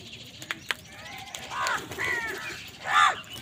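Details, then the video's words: During a fight with wild birds over food, an angry crow gives three rasping, arched caws that grow louder, the last one strongest, over a background of faint ticks and rustling. "Angry kawa ki awaaz"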